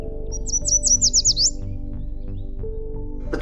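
A Yellow Warbler sings a quick, high, sweet phrase of about eight bright slurred notes that speed up over a second, over steady background music.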